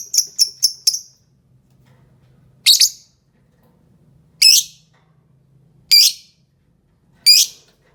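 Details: Fischer's lovebird in green coloration: a quick run of four short high chirps, then four harsh, screechy calls about every one and a half seconds.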